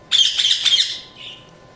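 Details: A single harsh, buzzy budgerigar chirp lasting under a second, trailing off into a softer short note.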